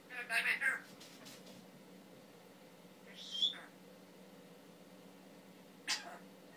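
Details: A pet male Timneh African grey parrot that mimics words, coughs and sounds makes a short burst of rasping squawks. Then a brief rising whistle follows, and a sharp click comes near the end, with quiet pauses between.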